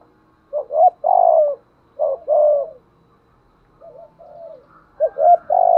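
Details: Decoy spotted dove giving urging coos: paired phrases of quick hollow notes, each ending in a long falling coo, about one second apart, then soft low coos and a loud phrase at the close.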